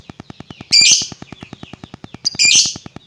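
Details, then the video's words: Lovebird calling to provoke rival lovebirds: two sharp, shrill, high-pitched screeches roughly 1.5 seconds apart, with a constant rapid ticking beat between and beneath them. "LOVEBIRD APAPUN BAKAL EMOSI DENGAR SUARA INI⁉️"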